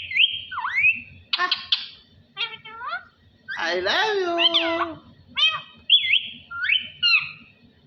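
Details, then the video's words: Parrot talking at home, a run of squeaky mimicked words, whistled slides and a longer nasal phrase in the middle, delivered in quick separate bursts over a low room hum. "Parrot Talking ALLAH HOO میاں مٹھو کی باتیں اللہ ھو"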